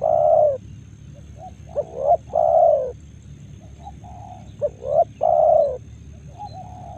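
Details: Spotted doves at morning in Karawang rice fields: strong, husky coo phrases, a short note then a long burred coo, given twice, while fainter doves answer from farther off amid low ambient noise.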